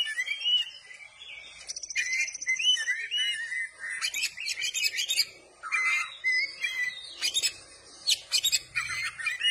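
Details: Oriental magpie-robin song with tail spread, varied and rapid: whistled slurs and short trills mixed with sharp high clicking and chattering notes in quick succession.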